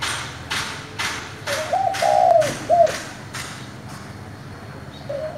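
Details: Cooing spotted dove of 'giọng thổ' style, meant to goad newly caught wild doves into calling. One mellow three-part phrase, then the start of another. Regular broadband knocking pulses run underneath.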